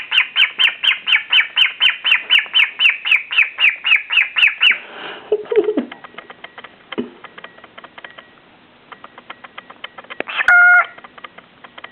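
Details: A pet cockatiel dancing coyly toward its own reflection in a mirror gives a rapid run of harsh, repeated chirps, about four per second, then scattered softer notes.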